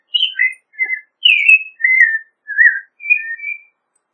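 An American robin sings clear, whistled phrases, each short and slightly different, delivered in a steady caroling run.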